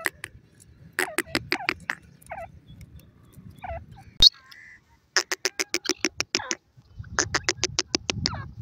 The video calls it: teetar k bachon ki awaz